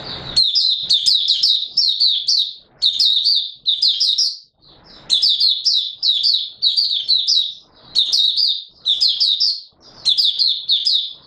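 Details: Oriental white-eye giving a long bout of song, 24 March 2022: high, tinkling twitters delivered in dense phrases of about one to two seconds, broken by short silences, with light clicks underneath.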